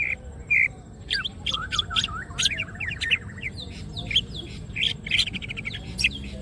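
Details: Opening its wings, a greater green leafbird sings gacor as masteran material: two short buzzy notes, then a tumbling series of sweeping whistles and sharp high chirps, against soft background noise.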